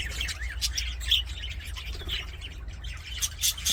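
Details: Playing aviary budgies produce short whistled chirps, little rising and falling squeaks and buzzy notes in a steady chatter, accompanied by a low background hum.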